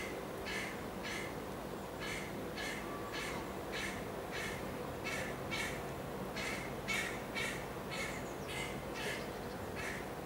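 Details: A juvenile carrion crow with white feathers in Amsterdam on 29 July 2013 gives a long run of harsh, hoarse caws, about two per second, over a steady low hum.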